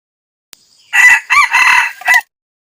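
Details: Male red junglefowl (wild chicken) crowing to challenge a rival: one loud, harsh four-part crow lasting just over a second, the rough syllables broken by short gaps and ending in a clipped final note, with a quiet background.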